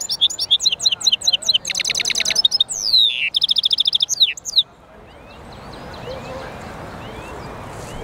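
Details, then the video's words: Twittering song from a European goldfinch mule: about four and a half seconds of rapid chirps, buzzy trills and swooping whistles, then the bird falls silent, leaving only faint background hiss. "European Goldfinch mule singing"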